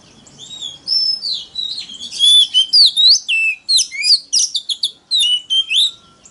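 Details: Oriental magpie-robin giving a very loud forest-style song to lure wild rivals into singing contests; after a quiet warbled start, a long string of crisp, varied whistles and twittering notes comes in quick succession.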